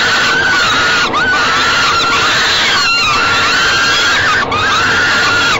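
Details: Feeding time for falcon chicks in a Great Spirit Bluff nest box, late May 2013 evening; sustained level screeching wail, briefly broken twice with a quick downward swoop before resuming.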